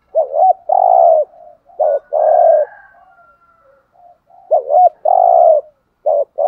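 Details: Decoy spotted dove luring wild doves with thúc gù cooing: repeated phrases of a short double-hooked note running into a long hollow coo, three phrases with soft murmurs between them.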